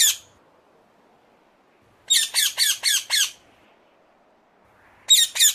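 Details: Ring-necked parakeet giving harsh, high squawks in a quick burst of five around the two-second mark, with single screeches at the start and end, separated by quiet gaps.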